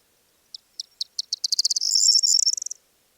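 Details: Corn Bunting, common singer behind a lark on the Manych steppe, Russia, 21 April 2024. Song is a chirring rattle: a few separate ticks that speed up into a jangling, shimmering trill, about two seconds long.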